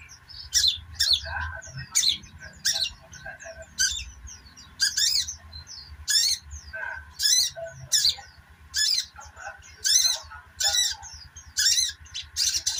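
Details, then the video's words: Sogon chattering in repeated bursts: sharp, high twittering clusters roughly every second, linked by short thin squeaks, over a continuous mid-pitched hum and soft low throbbing. "burung sogok ontong ( sogon ) ngeriwik"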